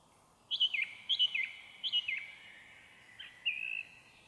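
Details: Song thrush in forest at about 7–8 pm, 1 May 2023; a loud looping whistled phrase given three times in succession, followed by a different sustained whistle, over quiet surroundings.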